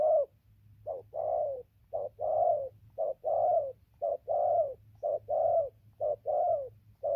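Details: Spotted dove decoy bird cooing continuously, rich rounded notes in pairs, a quick hoot leading into a broad falling coo, repeated around once a second over a quiet low hum.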